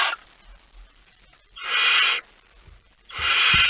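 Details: Barn owl at its nest with a mouse, just after midnight on 23 September 2019; after a short faint start, two long, loud, breathy screeching hisses about 1.5 seconds apart, with soft knocks in the pauses.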